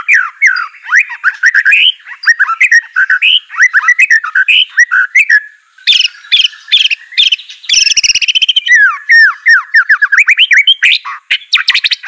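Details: White-rumped shama song for training a silent bird to sing: long, rich stream of quick slurred whistles and chips, broken midway by a few harsh, noisy bursts before the warbling resumes.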